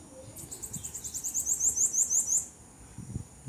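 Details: A Bananaquit (sibito) that was found calling, recorded on a very cold day alongside a red-cowled cardinal and a blue-black grassquit, gives a rapid series of very high, thin, buzzy notes, about a dozen in two seconds, with a faint low background rumble.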